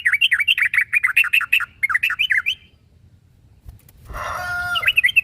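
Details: Sooty-headed bulbul calling a rival: a fast run of bubbly, warbling chirps rising and falling for about two and a half seconds, then a pause, followed by a brief noisy burst with steady tonal notes and a few more chirps.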